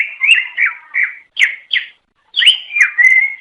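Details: Greater green leafbird singing to attract its own kind: slurred whistles and sharp chirps, a brief gap, then a rising note that settles into a long steady whistle.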